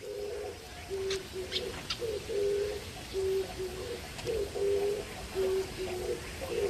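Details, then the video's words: An Oriental turtle dove, often heard near homes in Korea, gives low, hoarse cooing in short repeated phrases ("kkuuk kkuuk, kkuk kkuk"), a steady rhythm of paired coos, with faint chirps of other birds behind. "멧비둘기입니다 꾸욱 꾸욱 ~ 꾹꾹"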